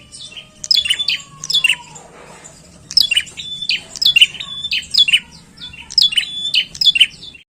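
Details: High, shrill chirps from a bar-winged prinia come in tight doublets and triplets, steady and loud, with a faint lower whistle sliding downward early on.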